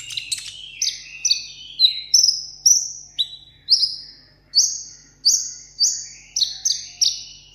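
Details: Vietnamese kept sunbird in solo contest song: loud, bright, falling whistled notes repeated about every half second, climbing gradually higher through the phrase.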